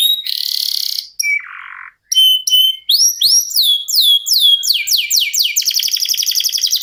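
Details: Contest canary singing ngerol style: a harsh buzzy burst and a lower rasping note, a short pause, then clear upswept whistles speeding into a dense repeated high trill.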